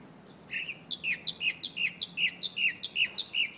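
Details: A mockingbird perched atop a chinaberry (Melia azedarach) tree in Buenos Aires, Argentina, in August 2014 sings a rapid run of bright, chirpy, buzzy-edged notes, about three per second, over a faint hum.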